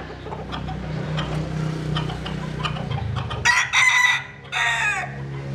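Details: Sunbathing Jap Cuban bantam rooster. A steady low engine-like rumble with faint clicks leads into two loud, harsh crow bursts near the end, separated by a short pause.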